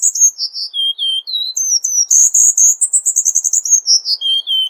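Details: Cuban bullfinch, 'tembakan rapat' style of tutoring song: descending whistled notes, then a high, tightly packed burst of rapid chirps that falls away into lower slurred whistles.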